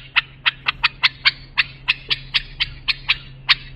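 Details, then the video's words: Bulbul song phrases used to train young bulbuls: a steady series of single sharp clicky notes, about three to four per second, over a constant low hum. "بلبل للساناته إبداع يفيد للتخريج صغار بلابل"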